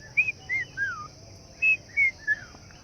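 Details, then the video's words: In a garden in Langata, Nairobi, Kenya, on an evening after rain, a Red-chested Cuckoo, locally called the Rain Bird, calls in the background: two runs of three loud whistled notes stepping down, over steady high insect hiss. "you can hear the red chested cuckoo in the background which we in East Africa call The Rain Bird calling"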